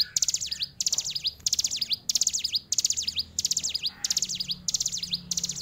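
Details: Hill prinia, described as a fighter, pouring out a string of eight or so shrill, rattling phrases of rapid up-and-down sweeps, each under a second, with tight pauses.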